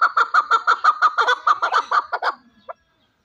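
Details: Kept fighting chukar partridge rattles off a fast, loud string of clucking notes that slows and fades near the end, followed by silence.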